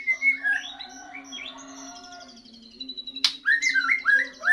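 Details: Young white-rumped shama after moulting: clear whistled notes, a long descending buzzy trill, then a loud snap followed by a row of bright downslurred whistles, low hum behind.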